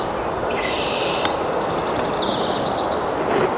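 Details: A house wren cleaning out a tree cavity to nest in early spring at Lake Wampanoag Wildlife Sanctuary, north-central Massachusetts, sings a high, thin opening note, then a quick bubbling run of about a dozen chattering notes, over steady hiss and rumble.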